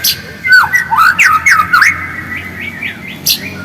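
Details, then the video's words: White-rumped shama song used as a lure to make birds sing: loud zigzagging whistled notes in quick succession, then softer short sweeps and one sharp high note. "PANCINGAN MURAI AGAR GACOR DENGAN SUARA ASLI"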